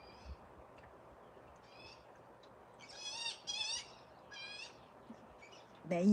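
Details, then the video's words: Mother magpie and her fledgling calling back and forth; the fledgling nearly approached a person before the mother warned it away. Harsh, rasping chattering bursts around the middle, with a faint earlier call and a loud thump at the end. "That's mama and the fledged magpie. That's a magpie sound."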